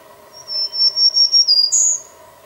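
Black-throated green warbler singing a quick run of thin, buzzy notes that ends on a higher, brighter buzz, over a steady low hum.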